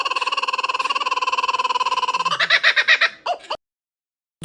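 A kookaburra laughs, a fast rolling chuckle of about a dozen notes a second that breaks into louder, higher ha-ha bursts before stopping.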